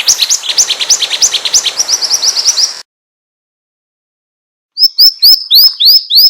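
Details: Rapid high chirps from a pied triller, a song bird catchers play to lure birds, followed by silence and then a row of evenly spaced, sweeping upslurred whistles.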